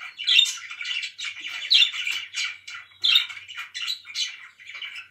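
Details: Loud chirps and squawks from pet budgies, short harsh warbled phrases repeated in bursts about every second, with high squeaky accents.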